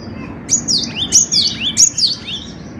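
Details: Vigorous Cinereous tit song used as a training recording: a short phrase of four or five loud, high whistles, each swooping downward, delivered at an even quick pace before fading to quiet.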